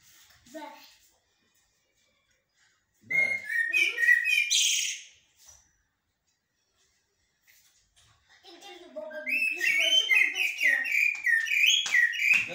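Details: Common blackbird whose song is described in blacksmith-like and military styles: a brief low note, then a burst of whistled and buzzy phrases near two seconds in, and a long bright warbling run to the end after a silent gap.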